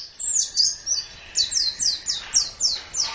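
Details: High, sweet white-eye song in a training recording for caged birds, played in the morning or evening: a series of quick downslurred whistled notes, about four per second, after an opening twitter.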